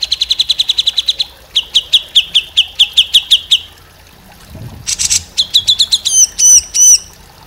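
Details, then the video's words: Grey-cheeked bulbul (cucak jenggot) training recording: rapid trilled runs of clipped notes, a second slightly lower series, a harsh burst, then chattering notes ending in loud arched whistles. "MASTERAN CUCAK JENGGOT UNTUK MURAI BATU, KACER, CUCAK IJO, CUCAK.CUNGKOK"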